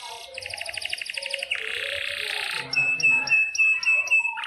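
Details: Canaries in lively song, played as a tutor for young or silent birds: buzzy rapid trills and a harsh rolling phrase, followed by clipped high notes repeated in a steady rhythm over a low background murmur.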